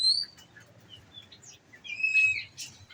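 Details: Olive-backed sunbird in captivity, fed nectar, delivering rapid 'nembak' song: a bright whistle opening, brief scattered high twitters, then a loud level piercing whistle with quick sharp notes after it.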